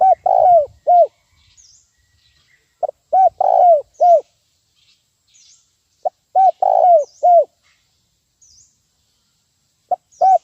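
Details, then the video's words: Lure-call recording of a spotted dove, 'nguku' type, for teaching birds: four regular phrases of hollow coos spaced about three seconds apart, with thin high upslurred whistles from another bird scattered throughout. "suara pikat terkukur nguku untuk ajar bb"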